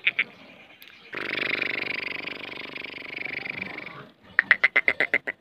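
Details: Hand-tamed pet black francolin (kala teetar) in breeding season, filmed with her chicks: a long harsh, rasping stretch, then a quick burst of about eight sharp, clipped notes at roughly eight per second.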